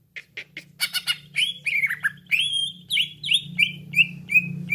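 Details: Cucak ijo used as a lure in trapping: a few scratchy squawks, then a flowing series of slurred whistles and down-slurred notes repeated several times over a low hum.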